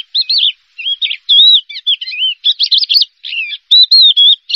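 A Horsfield's bush lark sings a fast, varied run of high whistles, slurred notes and warbles in short bursts with brief pauses. No other sounds are heard.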